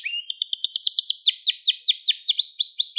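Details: Gloster canary song for encouraging other canaries: a rapid trill followed by slower, swooping notes repeated about every fifth of a second, each sliding downward.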